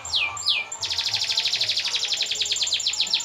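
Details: Canary song, used to prompt other birds to sing: two downward-sweeping whistles, then one long, even, rapid rolling trill.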